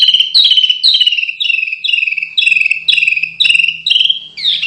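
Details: Canary masteran song for training contest birds: a steady series of downward-slurred chirps grouped in short bursts about twice a second, clear and ringing, with a faint low hum.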